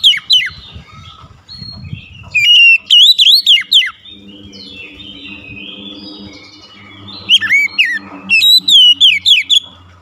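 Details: Oriental magpie-robin song in two loud bursts of rapid, looping whistles, with a soft, warbled stretch between them. A low humming drone is heard in the middle.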